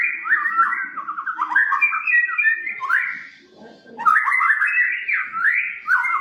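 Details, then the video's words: Caged white-rumped shama singing as a lure: two long bursts of varied rapid whistles and warbles in a middle pitch, separated by a brief softer gap with a low rustle. "masteran,pancingan burung murai batu"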